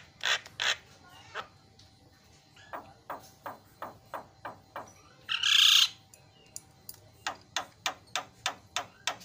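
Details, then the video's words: Javan myna (jalak kebo) song used as training recording to provoke mynas to call: harsh, clicking chatter notes repeated several times a second, broken midway by one loud, rasping screech. "KICAUAN JALAK"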